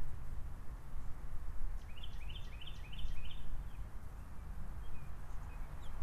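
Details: American goldfinch calling: a quick run of about five bright, chirped notes near the two-second mark, followed by a couple of faint scattered notes, all against constant low-pitched background rumble.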